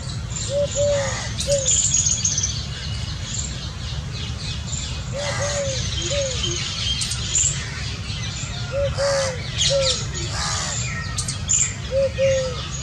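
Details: A family of Indian scops owls: short, soft, arched mid-pitched notes given in pairs, with pauses of several seconds between groups, over a steady low rumble and faint chirps from other birds.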